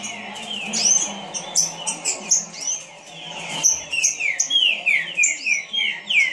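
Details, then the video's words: A Green-winged Saltator (Trinca-ferro) sings fast, showing off its speed with loud, rich whistled phrases of slurred notes repeated nearly twice a second, over a faint background hum. "Trinca Ferro rapido"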